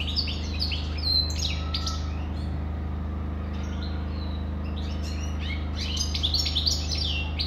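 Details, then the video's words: European goldfinch song in two bursts of rapid tinkling chirps and liquid twitters, separated by a quieter passage, with a steady low hum throughout. "Καρδερίνα,chardonneret,goldfinch the best"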